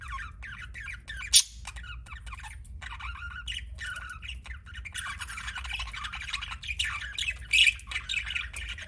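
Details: Budgerigar kept as a pet giving continuous chirping chatter: scratchy warbles, squeaks and buzzy notes run together for nearly nine seconds, with a sharp loud squawk early on and another louder burst near the end.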